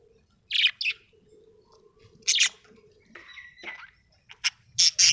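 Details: Happy budgie giving short, sharp, high chirps in small pairs, a brief warbling twitter in the middle, then a quick flurry of piercing chirps at the end, against a faint low hum indoors.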